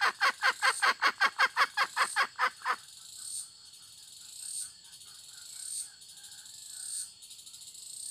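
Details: Hen calling with a fast series of loud, evenly spaced clucks, about six a second, for nearly three seconds, then stopping; insects buzz and chirp steadily behind it.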